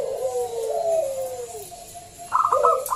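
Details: Loud local zebra dove, played to coax other doves into singing: long wavering low coos that slide downward, then a sudden cluster of rapid clipped higher notes near the end.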